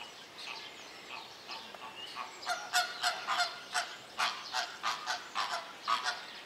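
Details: Greater flamingo at Opole Zoo calling in a run of loud, nasal, goose-like honks. The honks start after a quieter opening and come about three per second, some overlapping, with a faint rushing background noise.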